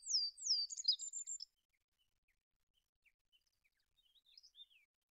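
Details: Olive-backed pipit giving a brief phrase of two high descending slurs and a fast trill, then faint scattered chirps and a soft closing warble.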